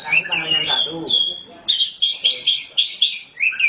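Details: Oriental magpie-robin (kacer hitam) in gacor singing: a man's voice talks at first, then the bird gives a rapid series of short, bright, chirpy bursts, about three per second, ending in a lower slurred note.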